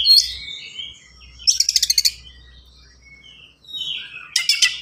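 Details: Kacer (Oriental magpie-robin) singing fast and packed, used as master song for training other birds; a high whistle, a rapid stuttering rattle of about eight clicks, a thin whistle, another rattle.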